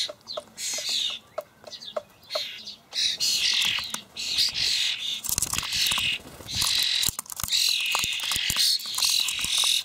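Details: Begging young common starlings fed dried buffalo worms by parents in a Hamburg allotment garden on 28 May; near-continuous grating, wheezy screeching with thin whistled notes mixed in, plus quick clicking ticks below.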